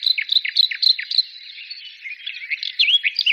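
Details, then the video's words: Singing birds: a quick run of sharp, downslurred high chirps repeated about four times a second, followed by a jumble of twisting warbled notes and whistles. "birds singing"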